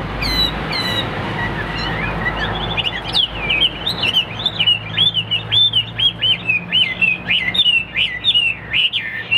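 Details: Hwamei kept in a cage, performing a competition fighting display, pours out a long string of quick hooked and looping whistles, lively and varied, after a few brief high trills.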